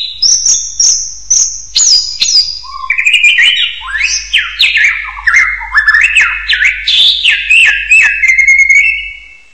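Common hill myna giving loud, varied whistles: high clear notes, then rapid rising and falling slurred phrases, several per second, with a faint low hum behind.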